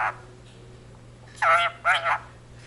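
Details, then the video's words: Household Indian ringneck parakeet saying Punjabi words from the jaikara "jo bole so nihaal sat sri akal": two short, high, rasping spoken syllables after a quiet pause. "the talking parrot jaikara indian ringneck speaks in punjabi"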